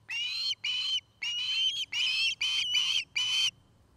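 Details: Osprey from a nesting pair at Charlo, Montana, nest-camera recording in the afternoon: six drawn-out, bright whistled calls in steady succession, each slightly buzzy, ending in quiet with a low background rumble.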